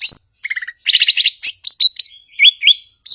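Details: Blue-winged leafbird (cucak ijo) singing: a sharp whistle, a low stuttering trill, a dense buzzy chatter, scattered sharp notes and two wavy looping whistles in quick succession.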